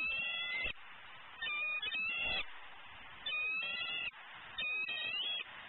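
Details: Impatient, hungry eagle vocalizing near 11am on 12-11-14 at a Southwest Florida nest as her mate eats prey out of sight. Clusters of high, piercing chittering notes arrive in bursts every second or two amid steady hiss.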